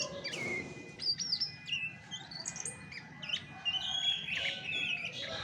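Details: Natural song of a chestnut-backed thrush, unmixed with other birds: bright, high squeaky whistles and slurred notes delivered in uneven bursts, with a thin constant tone in the background.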